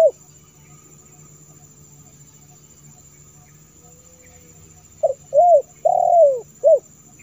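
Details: Lure recording of a spotted dove calling to attract wild birds: long quiet stretch with faint hum, then a quick phrase of short hoot, curved coo, longer coo and closing hoot near the end.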